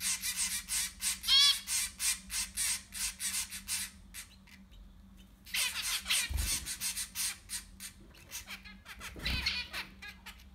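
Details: Zebra finch chicks, six in a nest during breeding, give loud, harsh, buzzy calls in rapid rhythmic bursts, several per second, pausing briefly near the middle before resuming; a low steady hum underneath.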